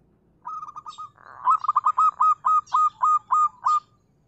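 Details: Zebra dove of a local strain singing: a soft rolling start, then a steady series of about ten loud, evenly spaced coo notes, with light high-pitched chips from other birds overhead.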